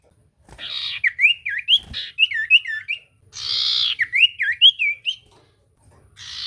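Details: Common iora singing to provoke a quiet bird: hissing bursts interleaved with clear whistled notes in rising-falling loops, repeated in two phrases.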